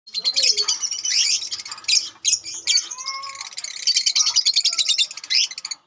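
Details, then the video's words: Lovebird colony calling together: dense, high-pitched chirping and shrill twittering from many birds at once, nearly continuous, with a few lower whistled slides beneath the chatter. "KOLONI BURUNG LOVEBIRD"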